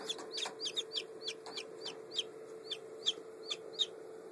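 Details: Day-old Black French Copper Marans chicks peeping, May 2011: clear, high, slightly bending peeps repeated roughly three times a second, with a faint constant hum underneath.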